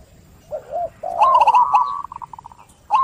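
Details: Local zebra dove giving a clear song to start other birds calling: soft low coos, then a loud warbled phrase that breaks into a fast stuttering trill of short notes.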